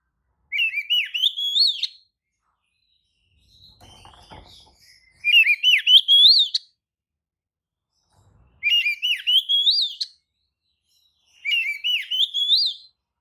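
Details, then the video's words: Oriental magpie-robin (kacer) pancingan song meant to provoke other birds into answering; four similar rising whistled phrases with quick trills, repeated roughly every three seconds, with a brief soft clatter in one gap. "kacer manapun jelas nyaut oleh kicau pancingan kacer buka ekor! kacer dijamin emosi"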